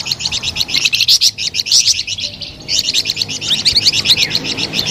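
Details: Melodious flamboyan bird delivering fast high chirps in rolling phrases, a brief softer pause after two seconds, then another bright, rapid run of notes.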